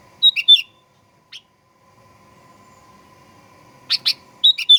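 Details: Sooty-headed bulbul lure song meant to make birds sing aggressively: a few high chirps with a whistled slur, a long quiet pause, then paired chirps and another whistled phrase.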